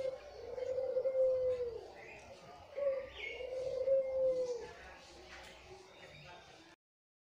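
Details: White, red-eyed Barbary dove serving as a lure, uttering two long, mellow, slightly falling coos separated by a brief sharp note, followed by a quieter stretch with faint chirping and indistinct background noise.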